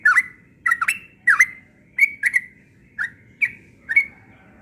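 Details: Yellow-vented bulbul singing insistently in the morning: short bubbly whistled phrases around mid pitch, each a quick dip and rise, given in pairs or singly about every half second, with a faint low background hum.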